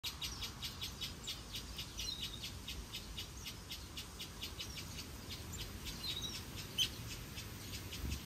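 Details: Red-billed leiothrix (Pekin robin) calling in an outdoor aviary with other birds: short, high chirps repeated about three times a second, with a few thin whistled notes, over a low background rumble.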